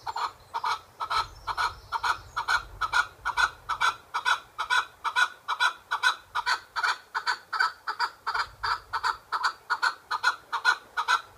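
A chukar gives harsh, clucking chuk notes in a steady run, about two per second, with a faint low rumble behind.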